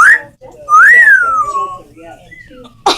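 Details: Parrot gives a brief rising whistle, then a long arched whistle that climbs and slowly falls away, followed by a faint note and a burst of noise at the end.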